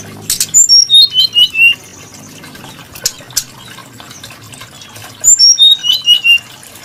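Brown-chested jungle flycatcher singing two sweet, high phrases of seven or eight clear whistled notes that step steadily downward, with a pause of several seconds between.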